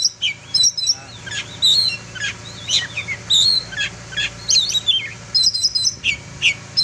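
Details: Oriental magpie-robin song, presented as a melodious song for training other kacer birds: varied high whistles and sharp chirps in short bursts, some clear level whistled notes, phrases separated by brief pauses, faint low hum beneath.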